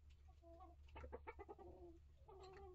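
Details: Chickens of several breeds, adult hens and chicks together in a coop; continuous murmuring, tonal clucks and short rolling notes that swell in the middle and trail off, over a steady low hum.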